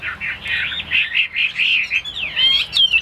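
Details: Caged Chinese hwamei giving a brief burst of rolling, slurred whistles followed by higher, sweeping notes.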